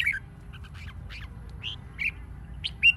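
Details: Red-whiskered bulbul singing for competition training; a string of short, slightly harsh warbled notes, softer in the middle and ending with a louder bright note, faint low hum behind.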